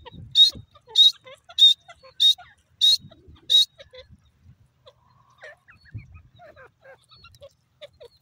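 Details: Six loud, piercing high notes from a grey francolin, evenly spaced roughly every 0.6 seconds, then fading into faint scattered background sounds and soft low noises.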